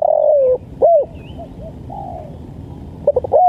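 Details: Spotted dove, tekukur from East Java, giving the 'lambungkuk' call style used for training and luring birds: smooth low coos that slide downward, then short clipped notes and a final rising coo, over a soft hum.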